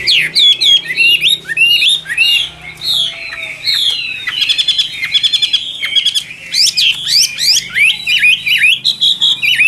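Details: Vigorous, nonstop song of a Chinese hwamei, a 'Tam Hoàng' type bird for sale: rich whistled slurs mixed with rapid trilled bursts and sharp repeated chips.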